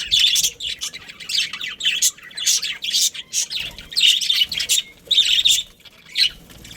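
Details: Domestic budgies, a breeding pair with family, trading bright twittering chirps and buzzy warbled phrases in rhythmic bursts, brief gaps between them, faint low background rumble.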